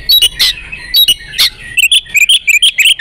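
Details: Oriental magpie-robin female in breeding condition, used to prompt males to sing: loud clipped chirps, then a rapid chattering run of high whistled notes toward the end.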